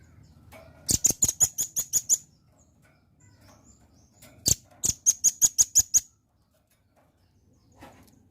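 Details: Velvet-fronted nuthatch song, played as a lure so other birds respond quickly: two bursts of about seven sharp, very high chips in quick even succession, separated by a pause of roughly two seconds, with faint ticks around them.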